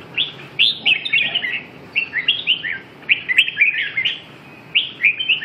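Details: Red-whiskered bulbul singing: short, bright warbled phrases of rising and falling whistled notes, delivered in quick bursts with brief gaps between them.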